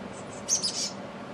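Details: Back-yard chestnut-backed chickadee, recorded on an HD camcorder, gives three brief, very high, thin notes in quick succession against steady low background noise.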